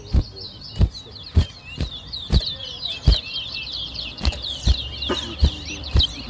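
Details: Towa towa seed finch singing at a bird whistling competition in New Amsterdam, Berbice, Guyana, 2023: continuous fast, high twittering warble, overlaid by sharp loud thumps roughly every half second and a counting voice.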